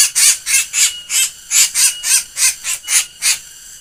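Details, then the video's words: A black bird with an odd, laughing voice repeats piercing, very high squeaky notes at an uneven pace, around three to four per second, with a faint background hiss. "burung hitam bersuara aneh ngakak"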